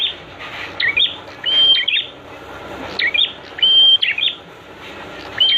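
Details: Prenjak (prinia) song for training birds to sing quickly: bursts of scratchy chips and short level whistles, irregularly spaced, over faint background noise.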